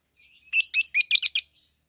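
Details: Pair of young captive peach-faced lovebirds, a red-headed green opaline and a red-faced dark green, hand-raised and about seven to eight months old: a quick series of six sharp, high chirps in a little over one second.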